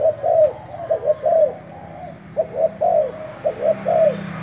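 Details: Decoy spotted dove from Thailand cooing in groups of two or three soft, rounded notes, with a pause midway, over light background hiss and distant high twittering.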